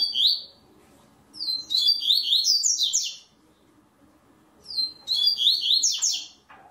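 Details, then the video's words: Caged double-collared seedeater (coleiro) singing in a web singing tournament in Brazil: two bursts of high, rapid, twittering phrases with sliding whistled notes, each lasting about one and a half seconds, separated by quiet gaps with faint low background hum. "TORNEIO VÍDEO WEB COLEIRO ON-LINE"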